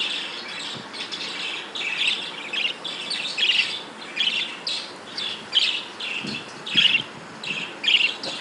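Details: Breeding budgerigars keep up busy, overlapping chirps and scratchy warbling notes, some louder peaks standing out every second or so against steady background noise.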